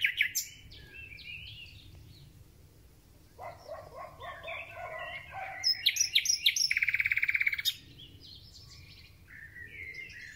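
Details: Thrush nightingale singing in early spring: a low rattling series grows into a loud, hard, metronomic run of rapid notes lasting about two seconds, amid softer distant twittering.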